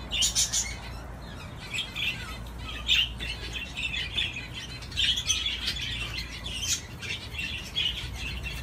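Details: Budgerigar on a swing giving an uneven series of scratchy chirps and squeaky notes in clustered bursts, with a steady low hum beneath.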